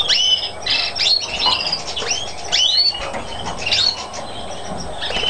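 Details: European greenfinch, a mutation bird, on Chios, Greece, in 2012, delivers a busy run of chirps, rising and falling sweeps and buzzy trills, loud at first and fading toward the end, with low background noise.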